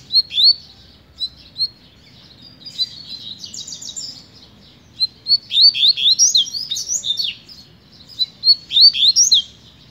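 A double-collared seedeater sings bursts of quick, high twittering and warbled notes, several phrases a few seconds apart, over a faint low hum.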